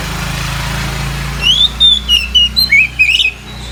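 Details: Oriental magpie-robin singing at midday to prompt other magpie-robins: about seven bright, slurred whistled notes rising and falling, over a constant low mechanical hum.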